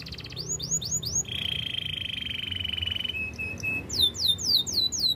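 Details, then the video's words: Singing canary for training: a few falling chirps, a long level buzzy trill, a short thin whistle, then rapid repeated falling whistled notes. "Canary birds sounds!! The best canary training song"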